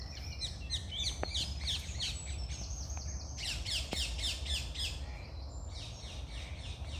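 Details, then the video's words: Birds singing at dawn: a dense chorus of rapid, sharp downward-slurred chips and short whistles from several birds, repeated about three times a second, over low continuous background noise and a few clicks. "Start your day with birds singing"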